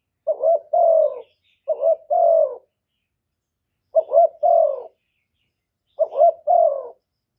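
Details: Decoy spotted dove giving its luring coo to rouse other doves, recorded directly with no background noise: pairs of soft clipped notes each ending in a drawn-out falling hoot, delivered in bursts separated by a pause of over a second.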